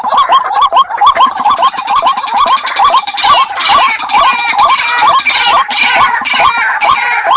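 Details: White-breasted waterhens calling as a pair: short hooked notes repeated over two per second, with a second bird's harsher, higher overlapping notes layered on top through most of the stretch.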